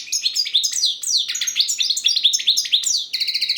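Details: European goldfinch delivering кокил песса style song: a continuous rapid stream of high, bright, sliding twitters and chirps, closing with a quick buzzy trill of repeated clipped notes.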